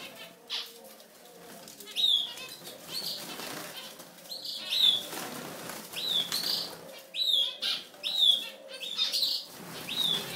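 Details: European goldfinch giving short, bright, high chirps and slurred whistled notes, scattered irregularly about twice a second or less, with soft fluttering and rustling between notes and a faint low hum beneath.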